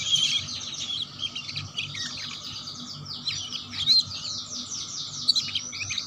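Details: Canary in the chirping style called ngeriwik, used as a lure to get young canaries singing quickly: dense, high, rapid chirps and twittering phrases run continuously, with a brief sharp note standing out near the start and near the middle.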